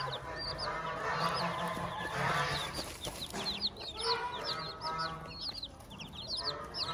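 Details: Chicks with their hen on a farm: dense high cheeping peeps, some in quick runs, over soft hen clucks, low hum and broad background noise.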